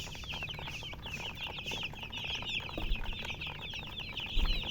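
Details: Flock of colour chickens chirping loudly, high quick peeps packed densely together, with a couple of louder bumps and thuds late on amid the continuous cheeping.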